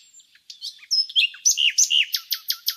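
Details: Nightingale song from a village at Laleli, Bursa, Turkey: varied whistled and slurred phrases giving way to a series of sharp, emphatic downward-sweeping notes repeated several times.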